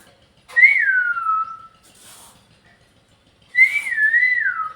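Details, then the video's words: Pet parrot indoors giving two clear whistled phrases about three seconds apart, each starting high and gliding down, the second wavering before it falls, with faint hiss between. "My cute parrot say bye at end"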